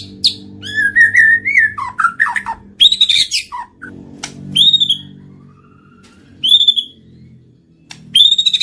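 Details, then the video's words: White-rumped shama (murai batu) lure song for triggering singing and mating: varied warbling whistles and harsh notes, later spaced high whistled phrases, with a low hum underneath. "PANCINGAN BURUNG MURAI BATU MACET BUNYI SEKALI PUTAR LANGSUNG NYAUT BUNYI AMPUH BIKIN GACOR"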